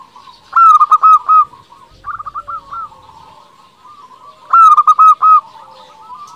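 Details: Local Indonesian zebra dove song meant to stir rival doves into replying: a loud phrase of rapid coo notes, a quieter answering phrase, a long pause, then the loud phrase again.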